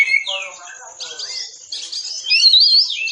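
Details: Masteran song of an Oriental magpie-robin for training caged birds, dense 'tembakan rapat' style: a downslurred whistle, then lower rattling phrases, followed by a bright buzzy stretch and a high twisting whistle near the end.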